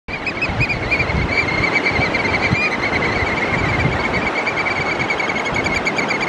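Oystercatchers give a rapid, unbroken stream of shrill, high piping notes, like laughter, over a steady rush of wind or surf.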